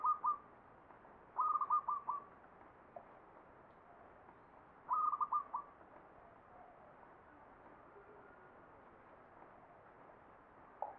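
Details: Zebra dove song in the ngepat Mataram Jogja style. Several short, stuttering phrases of soft, clipped coo notes repeat at irregular intervals, with quiet hiss between them.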